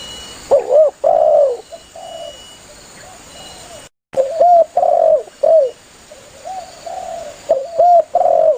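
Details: Lively spotted dove calling to its companions, recorded as a hunting lure: soft, low, rounded coo phrases with longer closing notes, interrupted by a brief silent gap near the middle, then resuming in quicker succession, with a faint background hum.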